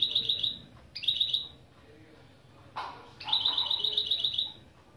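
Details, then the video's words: Goldfinch × canary mule singing opening phrases for a song lesson: three rapid, bright trills of repeated chirps, two short ones early and a longer run after a pause, over a quiet room background. "Saka Melezi Ön Çıkışlar"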